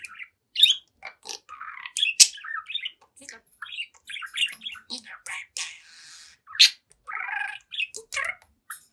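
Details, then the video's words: Young pet budgerigar, seven months old, chatting and singing to its reflection: rapid warbled chatter of squeaks, rasping notes and chirps with occasional loud sharp peaks and brief hissy passages. "Young Budgie Talks, Dances, and Sings in Front of the Mirror"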